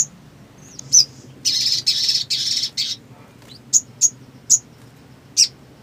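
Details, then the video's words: Black sunbird, known locally as sogon and described as singing actively: sharp, very high chirps at irregular gaps, with a run of four dense, buzzy notes in the middle and a few more isolated chirps after. "SOGON GACOR"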